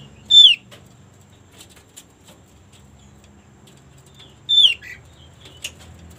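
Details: White-eye used as a lure to prompt birds of its kind to sing: two brief high whistled notes with harmonics, sliding downward, about four seconds apart, in quiet surroundings.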